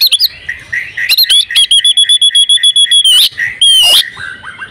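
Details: Oriental magpie-robin female in breeding condition, used to make males sing: a rapid run of clipped, evenly pitched chirps, about four per second, between sweeping whistled slurs and a sharp squeal near the end.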